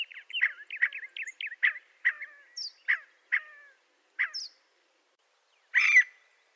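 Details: Scaled quail producing a quick series of short, nasal notes with slight upward flicks, slowing and spacing out before one harsher, louder burst after a pause.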